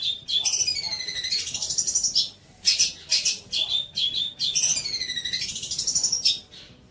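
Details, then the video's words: Long-tailed shrike song used as training material for young birds: long rich phrases of sliding, descending high whistles over buzzy chatter, broken by short scratchy bursts and a brief silence. "MASTERAN TROTOL"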